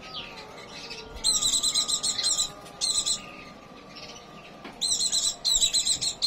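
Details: Pleci, a white-eye in breeding condition, giving quick high-pitched chattering trills in three to four short bursts separated by pauses, with a faint steady hum behind.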